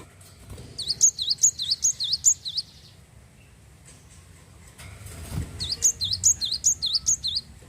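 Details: Java sparrow of the wingko type singing to stimulate other birds to sing: two sets of four or five high, bouncing chirps at an even pace, divided by a noisy pause with a low bump.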